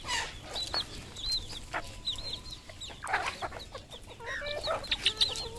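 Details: Red junglefowl kept on a farm in Cambodia: soft, fairly distant high peeping notes, curved and repeated, with occasional louder clucks and rustling noises.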